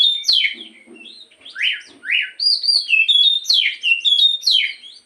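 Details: Black-throated magpie-robin singing in the morning as a lure for a kept bird: varied whistles, sweeping upslurs and downslurs, a faint low chatter early on, then quick repeated bright phrases.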